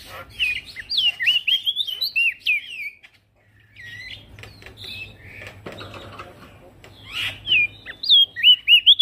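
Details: Male prinia singing vigorously as a training recording for other birds: looping whistled notes in short bursts, a near-silent break, scattered softer notes, then a fresh burst of quick whistles at the end.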